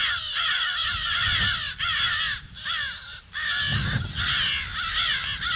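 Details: Crows raising the alarm at 08:50 on 18 February, a dense series of hoarse, overlapping caws arriving in quick bursts, roughly 78 per minute, with brief pauses and a low rumbling background.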